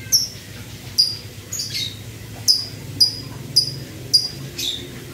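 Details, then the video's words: Male lovebird in strong breeding condition giving its 'ngetik' typing call, likened to lato-lato clackers: sharp, high, clicking chirps repeated about every half second, eight bursts, over a low steady background hum. "love bird jantan over birahi. ngetik mirip suara.|| LATO LATO"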